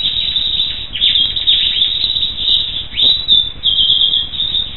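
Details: Loud, close black siskin song mixing buzzy trills, sharp chips and steady high sustained notes in a fast, unbroken flow.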